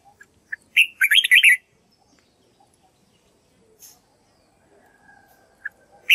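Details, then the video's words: Red-whiskered bulbul practising its song, used to train white-cheeked birds to learn the voice: a quick burst of rich, warbling whistled notes lasting about a second, then a few sparse chirps and near silence. "Chào mào luyện giọng cực hay"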